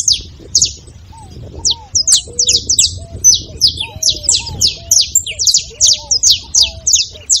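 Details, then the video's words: Long, rhythmic saffron finch song of sharp high chirps repeated briskly, punctuated by lower whistled slurs and quiet background sound. "canário da terra com belo canto"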